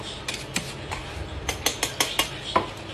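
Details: Clattering dishes and cutlery give a series of sharp, uneven clicks and clinks over a low background hum.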